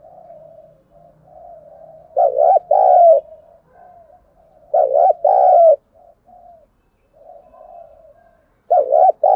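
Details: Spotted dove used as a decoy to prompt wild-caught doves to coo; three phrases of low coos, each a doubled short note then a longer one, with soft murmuring coos between them.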